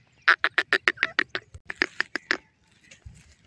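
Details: Male and female grey francolin calling together: a fast run of about twelve loud, ringing, clipped notes delivered in a single burst, fading into quiet background rustle.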